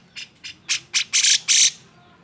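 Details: Emotional, agitated song of a grey-cheeked bulbul used to provoke quiet birds: six harsh squawks growing louder and longer, the last two broad rasping blasts.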